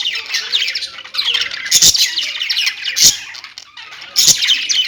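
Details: Pet budgerigars chirping together in a dense, continuous high warble of twittering notes and squeaks, broken by a few sharp clicks or taps.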